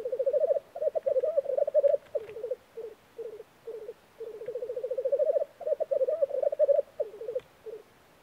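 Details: Black grouse lek in spring, Norway: continuous low bubbling rookoo phrases, swelling pulsed runs alternating with short clipped bursts, repeated in cycles.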